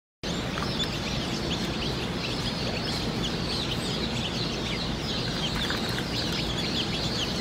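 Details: Day-old Dominique chicks in a crowded group, giving a dense, continuous chorus of short, high, thin peeps that overlap without pause, over a steady low rumble of machinery or fan noise.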